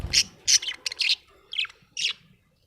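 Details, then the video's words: Happy budgerigar giving a series of short, high, scratchy chirps, about five or six separate notes spaced roughly half a second apart, in a quiet room. "Happy budgie chirping sound"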